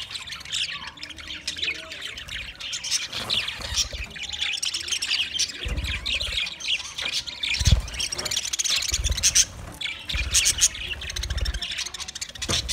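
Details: Twenty budgerigar pairs keep up constant shrill twittering and scratchy chatter, with intermittent low thumps beneath the calls.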